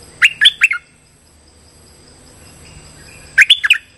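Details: Streak-eared bulbul lure call used for trapping birds: a burst of three short, bubbly, buzzy chirps, a pause of over two seconds, then a second quick burst of four similar notes, with a faint steady high hum throughout.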